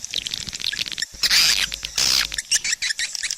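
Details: Swiftlets give high twitters with two loud, rushing bursts of chatter in the middle and scattered sharp chirps around them.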